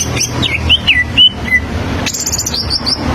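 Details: Song of a greater green leafbird, played so young birds learn to sing: several sliding whistled notes, then a high rattling burst and thin rapid high notes, over low background hum.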